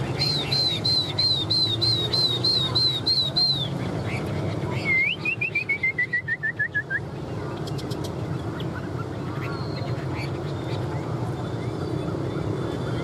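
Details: Chinese hwamei (Garrulax canorus) in fighting song with tail fanned: a rapid run of about ten ringing, upslurred whistles, then a fast descending series of clear notes, over steady low background hum.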